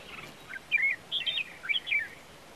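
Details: Red-whiskered bulbul (Pycnonotus jocosus) singing: a short phrase of bright, warbled whistles rising and falling, several quick liquid notes run together over about two seconds, against a quiet background.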